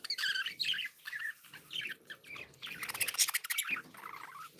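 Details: Happy pet budgerigars chatter with buzzy warbles and quick chirps, ending in a harsh rattling burst, with faint low background noise.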